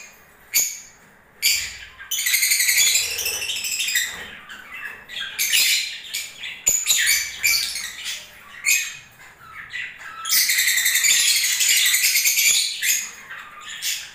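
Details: Lovebirds in breeding season, indoors, producing shrill squawks and squeaky chatter in irregular bursts, with a long, continuous stretch of rapid twittering near the end.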